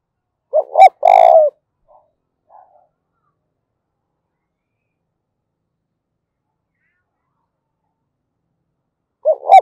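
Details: Spotted dove in 'giọng thổ' voice, cooing to incite fighting: one full phrase of two short notes and a loud sustained coo, a few faint murmurs, long silence, then the next phrase beginning.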